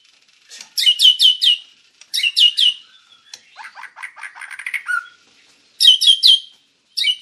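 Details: Master recording of a white-rumped shama singing, meant to teach other birds: quick clusters of bright descending notes alternating with a scratchy chattering passage and a short low whistle, phrases separated by pauses.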